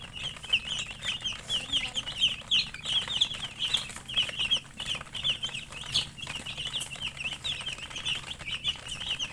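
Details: Several chicken chicks peep continuously, high thin chirps rising and falling in quick overlapping series, forming a dense steady chorus with faint rustling underneath.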